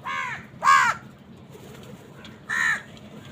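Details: Crows fighting with wild birds for food: a quick pair of hoarse caws, a pause, then one more harsh caw.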